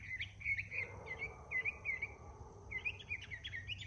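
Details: Northern mockingbird singing in the morning: rapid repeated chirpy phrases around the upper-middle range, each phrase type repeated several times in quick series, over a steady low hum and faint background buzz.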